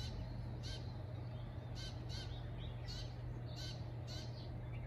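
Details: Sparrows calling around 07:35 one morning in Shikokuchuo, Japan: brief high chirps spaced about a second apart, some with faint downward notes, over a persistent deep humming drone.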